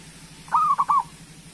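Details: Local-type zebra dove in full voice, its song used to prompt lazy doves into singing: one short cooing phrase of three quick rolling notes, mellow and low, over a steady low electrical hum.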